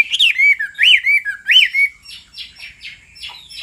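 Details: Chinese hwamei (Garrulax canorus): male sings, stirred by the female's repeated rapid hissing calls; loud, clear whistled notes, each rising then falling, in a quick run, then softer buzzy down-slurred notes repeated several times.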